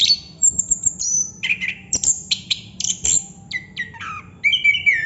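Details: Chestnut-capped thrush, the anis kembang or plontang, in nonstop 'ngerol' song: dense bursts of high whistles and sweeping notes broken by sharp clicks, ending with a run of lower rising and falling whistles.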